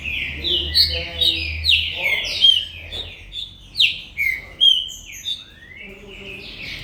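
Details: Captive green-winged saltator from a commercial breeding facility delivering rapid, ringing whistled notes that slide down in pitch, grouped into quick bursts about twice a second, with brief low buzzy sounds near the start and end.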